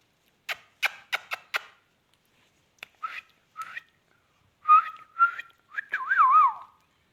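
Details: Talking Indian ringneck parakeet: four sharp clicks, then a pause, short chirps, and a run of warbled, wavering whistled syllables that rise and fall, ending in a looping whistle.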